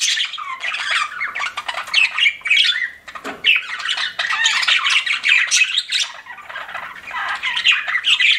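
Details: Pet budgerigars chirping together: a dense, continuous stream of buzzy warbles, squawks and rapid chirps, overlapping almost without pause and with a brief lull near the middle.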